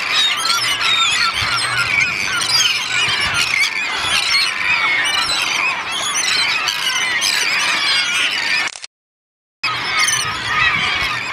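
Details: Mixed gull flock of herring, black-backed, common, black-headed, Caspian and yellow-legged gulls feeding on Fanoe Beach, Denmark, with terns; relentless high squealing and squawking din, interrupted once by a brief silence near the end.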